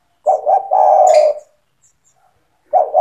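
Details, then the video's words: Spotted dove singing strongly, used to coach young doves: one full low phrase of two short coos and a long sliding coo, then the start of the next phrase. "SUARA TEKUKUR GACOR"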